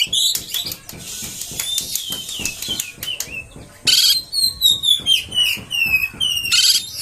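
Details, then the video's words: Provoking song of an oriental magpie-robin meant to make rival birds rage: opening harsh rasps, then clear descending whistled slurs repeated in a series, a loud burst near four seconds and another near the close. "PANCINGAN KACER!! terbukti kacer ANDA AKAN NGAMUK!!!!"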